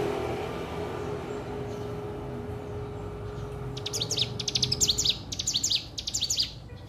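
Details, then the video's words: Hill prinia practising its song: after a quiet start with a steady low hum, a burst of rapid, high, clipped chirps and sharp trills runs in quick stuttering groups over the last three seconds. "ciblek gunung belajar bunyi"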